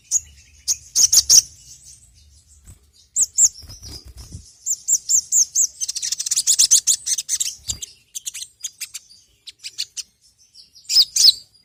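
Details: Crimson sunbird (sogon, sogok ontong) song used as a lure call. Very high, rapid twittering comes in bursts, building to a dense run of quick repeated notes midway, then scattered sharp chirps and a final burst.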